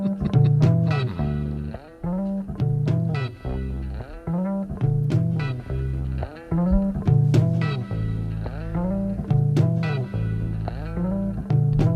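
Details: Plucked guitar and bass music plays steadily throughout, with no animal sounds.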